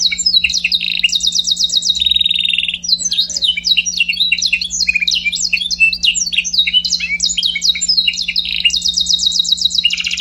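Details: Song of a Scotch Fancy canary: opens with dense rapid trills and a flat sustained buzz, breaks into a long varied sequence of sharp slurred chirps, then returns to fast rolling trills at the end; low steady hum in background.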